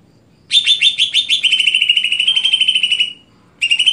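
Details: Greater green leafbird, stelan cucak hijau style: a quick high trill of rapid repeated notes, slightly falling, then silence and the trill starting again.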